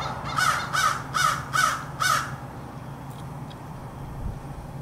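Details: American crow recorded on 4 February 2024; five loud, harsh, rasping caws in a quick even series about every half second, then quiet with a low steady hum behind.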